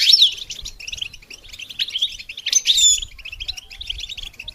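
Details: Goldfinch singing for songbird training. A continuous, rapid, tinkling twitter of high chirps is broken by two brief, sharp descending whistles, over a faint low background rumble.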